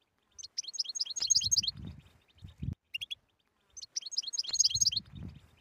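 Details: European goldfinch singing in two lively bursts of fast, high, tinkling and chattering notes, played to stir a silent goldfinch into song, with soft low thuds in between.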